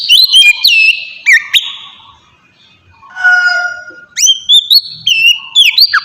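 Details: Oriental magpie-robin lure song to prompt other birds to answer: a few rich whistled slurs, a pause, a long flat lower whistle, then bright rising notes.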